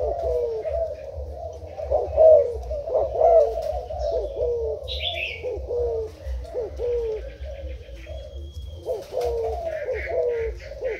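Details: Decoy spotted dove for cover-trapping, Thai line, gives a long run of mellow coos, clipped notes and falling hoots nearly each second, with a brief bright chirp and a thin whistle in the background.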